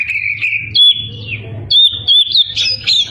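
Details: Oriental magpie-robin singing energetically to provoke rival birds: long high whistled notes and sliding phrases, some loud and sharp, over a steady low electrical hum and background rustling.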